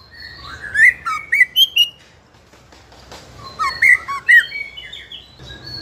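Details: Juvenile 'trotol' white-rumped shama (murai batu) singing nonstop as a lure to provoke other young shamas into singing. Two bursts of loud, varied whistled notes with sharp slurred phrases, separated by a quiet pause.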